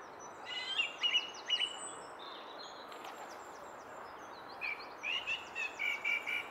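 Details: A song thrush sings at the Henry Moore sculpture, bright clipped phrases each repeated several times, ending in a run of about six quick whistled notes over steady outdoor hiss.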